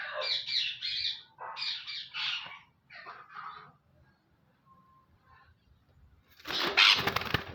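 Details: Active male parrot kept in a cage gives harsh, raspy squawks in three bursts over the first three seconds, a quiet pause, then one loud, broad screech near the end.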